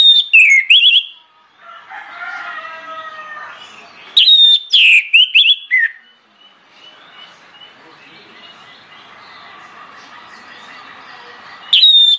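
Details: Orange-headed thrush song used as a lure for other birds: two bursts of loud, clear whistled notes sliding down then rising, separated by several seconds of softer warbling and low background sound, with another phrase starting at the end.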